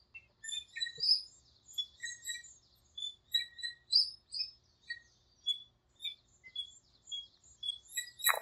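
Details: Several birds calling and singing at dawn in a small park as breeding season begins: steady runs of thin, high chirps and whistled notes roughly every half second, ending in a sharp click.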